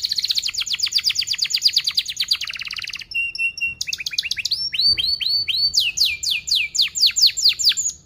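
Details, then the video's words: Canary lure song for training young canaries, a fast dense 'cuit cuit' rolling style: rapid buzzy trills of repeated high notes, then separate whistled tones and quick downslurred phrases repeated in fast series. "Kenari Gacor Paud SPEED RAPAT Cuit cuit Ngerol, Pancingan Kenari PAUD BELAJAR BUNYI"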